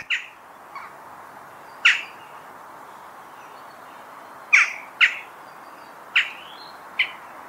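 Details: Harsh clipped calls of a western jackdaw, seven abrupt "tchak" notes at uneven intervals, some in close pairs, with constant faint hiss behind.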